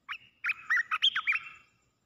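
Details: Caged red-whiskered bulbul kept as a decoy bird, singing a quick phrase of bright, slurred whistled notes that rise and fall, ending in a short warbled trill; quiet background.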